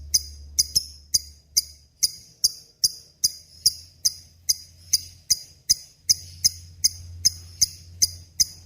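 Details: Lovebird in full voice, recorded as a tutor for murai and kacer songbirds: a steady series of crisp high chip notes, about two or three per second, with a soft low hum beneath.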